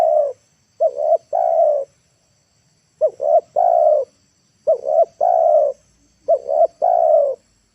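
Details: Decoy spotted dove calling to bring wild doves down to the ground in the late afternoon: mellow cooing phrases of two quick notes followed by a long sustained coo, three phrases spaced about one and a half seconds apart.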